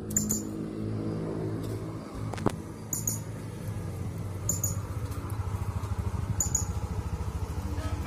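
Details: A caged blue-crowned hanging parrot from Jungkat, West Kalimantan, performing in an online singing contest, gives thin, very high, sharp notes in brief bursts every second or two over a steady low engine-like rumble.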